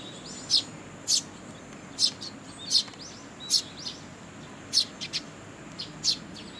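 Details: Young sparrows begging as parents feed them at a Tenmangu shrine on 2 July 2022: sharp, high chirps spaced about half a second apart, with fainter chirps in between.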